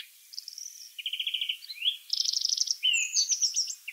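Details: Free-living European greenfinch in song, mixing a thin high note, a low rattle, a rising slur and a rapid bright trill, followed by quick descending twitters.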